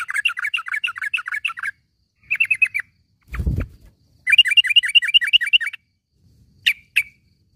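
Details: Morning calls of a yellow-vented bulbul, used for training caged birds: three quick series of bright chattering notes, the first and last long runs, a short burst between, then two isolated sharp notes and a brief low thump.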